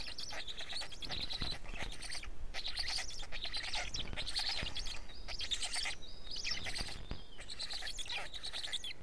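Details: Black stork nest in Estonia on 20 May 2018 near 14:02, after a change-over as the arriving parent feeds the chicks while the third chick hatches; harsh, hissing bursts repeat in quick succession throughout.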